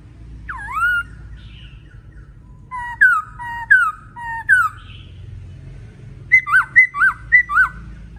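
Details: Male laughingthrush singing vigorously: a single swooping whistle, then widely spaced down-slurred notes, closing with a quick series of looping, upturned whistles; steady low hum underneath.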